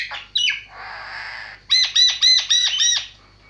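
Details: Javan myna singing: harsh buzzy squawks, a broad rasping noise, then a quick run of six ringing, sharply rising two-tone notes about every quarter second.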